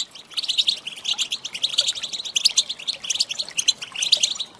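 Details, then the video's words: Goldfinch female calls meant to stir a male: bright, rapid twittering chirps in repeated flurries, high and tinkling, steady throughout. "Saka Huylandırma Sesi, Garantili صوت طائر الحسون الإناث"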